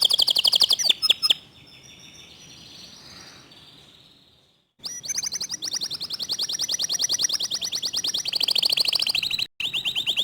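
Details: Clear-voiced local canary in fast tembakan song: a short burst of high rapid notes fades to a soft tone and a pause, then a long dense trill of very fast repeated high notes runs for over five seconds with one brief break.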